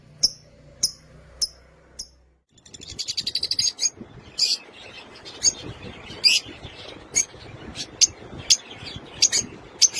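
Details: Caged lutino opaline lovebirds, kept in a colony, give sharp, very high chirps. A few spaced squeaks open the clip, then a denser run of rapid chatter and repeated piercing chirps roughly every half second over a rustling background.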